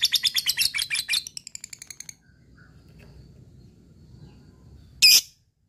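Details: Fighter lovebird calling out to a rival: a quick run of a dozen harsh, high pulses that fade over two seconds, then quiet and one sharp high chirp near the end.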